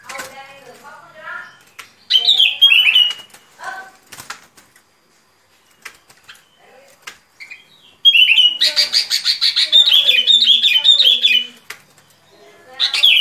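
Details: Sooty-headed bulbul singing in a trapping lure recording: a bubbly slurred phrase early, a pause, then a long run of rapid repeated chirpy whistles lasting about three seconds, with softer chatter from other birds beneath.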